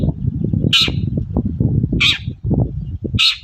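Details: Morning call of a long-tailed shrike, played to provoke other shrikes into replying: short scratchy squawks repeated roughly every 1.2 seconds against heavy low-pitched background noise.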